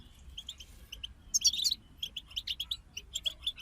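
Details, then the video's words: Goldfinch singing in a group, European species: scattered high chips and short twitters, then a brief buzzy, tumbling flourish mid-clip followed by evenly spaced bright notes, over low background hum. "King of Songbirds Goldfinch Group"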